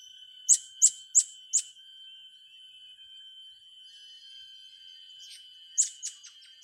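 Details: Blue-crowned hanging parrot, young birds being trained: four sharp, very high chirps in quick succession, a pause under a steady thin high tone, then another short burst of high chirps.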